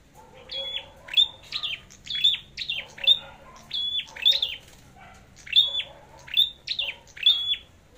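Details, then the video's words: Competition singing by a red-headed flowerpecker, a lively run of high twittering phrases. Each phrase pairs a brief level whistle with downward-sweeping chips, and they come in steady succession about every half second to second. "Chim Sâu Đầu Đỏ Hót Đấu"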